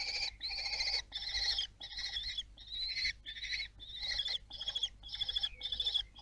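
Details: Common kestrel at Théding in France, 26 June 2022, amid fledging: strident, harmonic-laden calls in a regular series of about ten notes, each roughly half a second long, slightly rising, with brief silences between.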